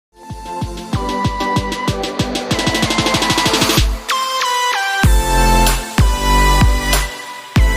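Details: Loud electronic dance music with pounding bass beats, a fast drum roll and synth tones, and no animal sound.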